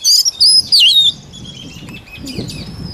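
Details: White-rumped shama song: a short phrase of loud, high whistled slurs, twisting up and down, lasting about one second, followed by fainter scattered notes over background hiss.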